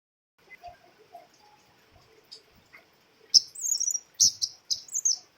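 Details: Female scarlet-backed flowerpecker giving a lure call: soft scattered notes, then sharp high chirps and short downslurred twitters in quick bursts.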